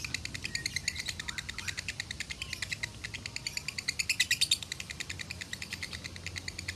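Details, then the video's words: Lovebird in a masteran training recording from a farm in Salatiga, singing a long rapid chattering burst: dense, evenly repeated high buzzy notes about three per second, brighter and louder near the end, with faint low hum behind. "Masteran Lovebird Konslet ASLI"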